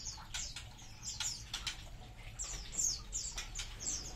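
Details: Munias calling in a colony: scattered clusters of sharp, high, downward-sliding chirps mixed with short broadband clicks and rustles, rising and falling in loudness, over faint low background noise.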